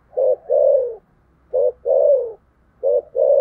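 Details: Fighting coo of a spotted dove in the thổ sấm style: three loud, deep, mellow phrases about 1.3 seconds apart, each a short hoot followed by a longer coo that dips at the end.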